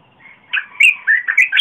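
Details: Red-whiskered bulbul singing, recorded 30 April 2021 for luring wild birds and training young birds: a fast phrase of about five bright, warbling whistled notes in under two seconds.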